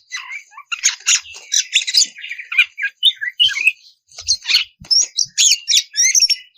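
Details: A breeding-condition female oriental magpie-robin calls the male with a steady run of rapid chirps, squeaks and buzzy notes in short bursts, almost without pause, plus a few faint low knocks.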